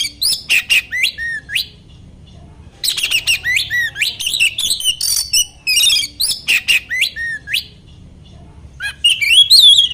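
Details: Oriental magpie-robin song used to provoke other magpie-robins; long loud stretches of varied whistles, downslurred notes and harsh chatter, broken by short pauses and closing with a wavering high whistle.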